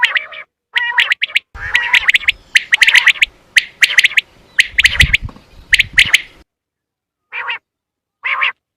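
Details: Quail hunting lure call: loud, sharp, high notes clustered in quick groups of two or three, about once a second, with a low rumble beneath, then two short rasping notes after a pause.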